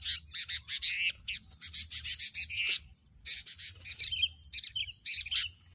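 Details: Sooty-headed bulbul heard during bird trapping with racik snares: loud bursts of bright, chirpy notes in quick runs, with short pauses, over a steady high-pitched hiss.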